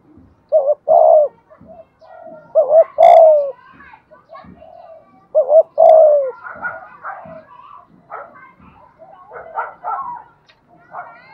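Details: Spotted dove decoy coo in thổ bầu voice, aimed at getting wild doves to coo and approach: clipped and sliding coos repeat twice, while human voices and chatter grow over the later part.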